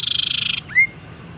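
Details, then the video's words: A tailorbird, a lure and therapy call for reluctant singers, gives a fast, buzzy high trill of about twenty pulses in half a second, then a single short rising whistle. "suara pancingan sirtu teras"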